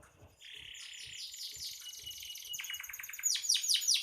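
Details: Canary song opening with a buzzy level note, moving into fast trills and ending with loud descending sweeps; faint low thumps underneath.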